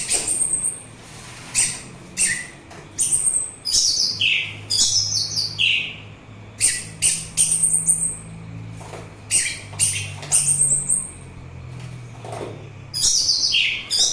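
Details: Orange-headed thrush singing, a recording meant to soothe listeners and to attract thrushes and other birds: many short, sharp, high notes and downslurred whistles, repeated irregularly about twice a second, over a faint low hum.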